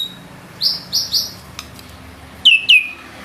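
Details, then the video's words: White-rumped shama song with a few clean, high whistled notes held level, a short pause, then two sharp downslurred whistles; quiet indoor background. "Murai batu nembak isian gacor"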